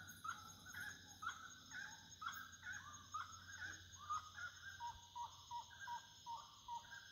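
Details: Wood rail at nightfall giving a rhythmic series of loud, hoarse rising-and-falling notes, roughly two per second. The phrase ends in quicker, lower repeated clucks. Continuous shrill insect buzzing fills the background.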